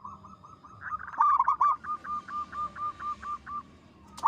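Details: Local zebra dove in full, frequent song, described as big, long and melodious: a brief low coo, then a rapid run of about ten short, even, bouncing notes, evenly spaced and steady in pitch.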